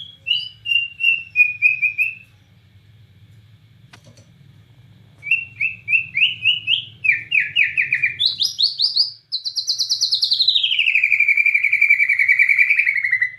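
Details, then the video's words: Bornean white-rumped shama in lively 'gacor nembak cililin' song: a string of rapid descending chips, a pause, rising and falling slurred note runs, then a long, intense buzzy trill sweeping down and holding steady. A faint hum sits in the background. "Murai Batu Borneo Gacor Nembak Cililin"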